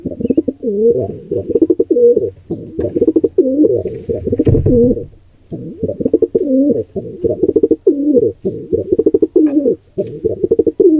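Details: Wild pigeons at a nest, during an attack on a squab by an intruder pair: continuous throaty cooing that rises and falls, broken by rapid fluttering and wing-clap pulses, with one short pause near the middle.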